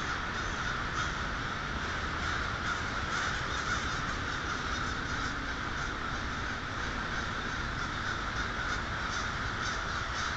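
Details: Crows at twilight, Polish Hill, 1/6/12: a crowded chorus of rough caws layered thickly over one another, steady and unbroken for ten seconds.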